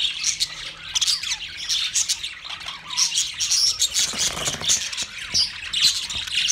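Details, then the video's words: Budgerigars in twenty pairs chirping constantly: loud high twittering and warbled chatter, with a few clear whistled notes rising above the crowd noise. "20 Budgie pairs chirping sounds"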